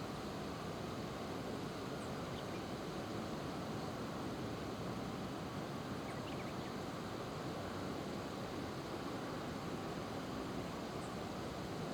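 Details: Steady broadband rumble of wind or distant traffic fills the recording, with no clear animal calls.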